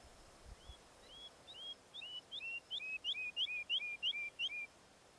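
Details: Woodlark song: clear, paired, fluting notes, each high note dropping to a lower one. The pairs are repeated about three times a second, getting louder and steadier as the phrase goes on, against a quiet background.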